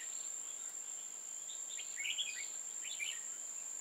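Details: Red-whiskered bulbul during trapping on 15 October 2018, singing short chirpy warbled phrases midway through, faint against a steady high-pitched insect whine.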